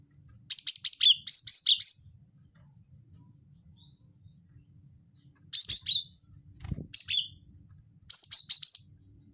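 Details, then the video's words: Cinereous tit wingko call, played to lure birds: bursts of fast, high chattering notes, each run ending on a lower note and repeated three times with pauses between, plus a brief low thump. "pancing bunyi gelatik batu wingko"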